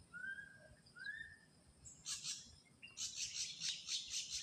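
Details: Two clear rising whistles, then an ashy drongo in the wild breaks into a rapid train of harsh buzzy notes, about five per second.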